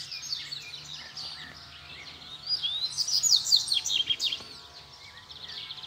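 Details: Double-collared seedeaters near a cage, wild birds answering a caged one calling for a fight: soft twittering building into a brighter run of rapid sliding whistles, with steady background hum.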